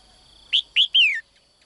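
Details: Female cage bird calling to summon a strong male: a crisp three-note phrase of two short upward chirps followed by a longer falling whistle, set against a quiet background with a thin steady hum.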